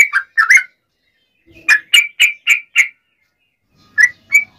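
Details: Yellow-vented bulbul singing in a fighting, provoking style meant to make other bulbuls answer; short bright warbled notes in two bursts, then five quick rich phrases, a pause, and three more liquid notes.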